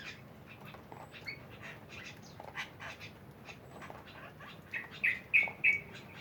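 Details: Mynas calling together in a busy flock: soft scattered chatter builds to four loud, harsh, squawking notes spaced about a third of a second apart near the end.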